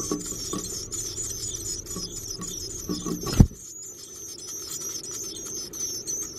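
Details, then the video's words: Hungry Black-capped chickadee babies begging inside a backyard nesting box while the parents bring food: a constant high-pitched, faintly wavering squeal runs throughout, broken by a sharp thump near the middle. "Baby Birds in Nest HUNGRY - Black-capped Chickadees Feeding Their Babies"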